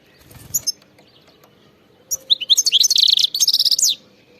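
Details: Wild European goldfinch: a couple of faint chirps, then a sustained two-second twittering phrase that ends in a rapid buzzy trill and a rising and falling slur.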